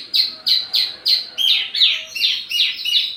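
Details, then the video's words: Wambi mini singing as lure and tutor audio for tledekan birds: a steady train of loud, downslurred chip notes, about three per second, shifting slightly lower partway through. "wambi mini burung pancingan sekaligus masteran buat tledekan anda"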